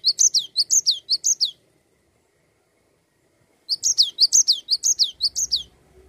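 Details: Cinereous tit, 'gacor ngerol' rolling song intended to make other songbirds sing: a few sharp falling whistles, two seconds of silence, then a renewed run of bright repeated notes about twice a second.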